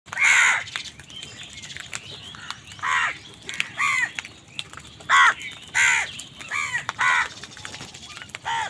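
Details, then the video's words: Crows calling angrily while wild birds fight them for food: a run of about ten harsh, hoarse caws, some doubled, spaced irregularly every half second to a second, over a quiet outdoor background. "Crow bird unity anger and sund | Angry kawa ki awaaz"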